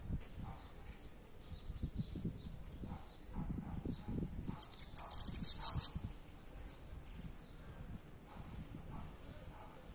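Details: Bananaquit song, a burst of very high, rapid, sizzling notes lasting about a second, heard among low rumbling background noise and faint voices.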